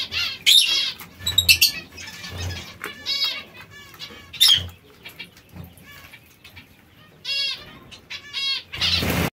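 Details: Captive zebra finches pecking at seeds and fresh salad: short nasal, buzzy call notes in scattered bursts, mixed with sharp clicks and taps from feeding and low rustling.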